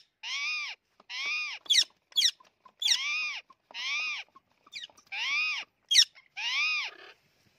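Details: Green and white ringneck parrots fighting: repeated raspy, arched screeches roughly every second, broken by sharp snapping clicks and brief scuffling noises.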